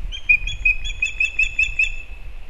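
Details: Elder Osprey chick back at its nest after fledging, in Kurzeme, Latvia, on 15 August 2024, caught by a live nest camera: a run of about eight short, high whistled chirps in two seconds over a low rumble.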